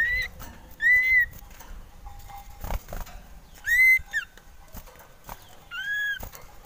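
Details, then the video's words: Male common iora, described as wanting to mate, giving a few separate loud whistled notes, arched and drawn out, spaced about two to three seconds apart, with faint clicks and background hiss. "Merdunya suara cipoh sirtu ini cocok buat pancingan"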